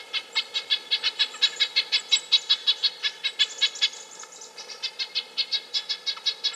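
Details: Long rapid series of nasal, horn-like notes from a Red-breasted nuthatch, repeated several times per second, briefly interrupted by a thin high whistle before the quick run continues.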